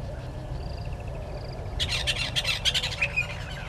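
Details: Red-billed hornbill at its nest tree by Gowrie dam waterhole, Djuma Game Reserve, Sabi Sand, South Africa, 10:09 on 30 January 2020, gives a burst of six or seven harsh, squawking notes over about two seconds, after faint thin whistles, over low outdoor rumble.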